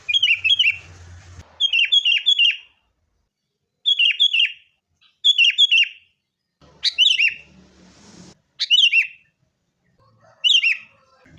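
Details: Lively sooty-headed bulbul lure song for prompting caged birds to sing, fighting style: clusters of three or four bright, bubbly whistled notes repeated with pauses of a second or two, faint low rumble beneath some phrases.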